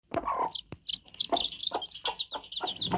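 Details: Newly hatched fluffy chicks cheeping nonstop: thin, high, quickly sliding peeps overlap in a dense chorus, broken by soft scratchy taps and rustles underneath.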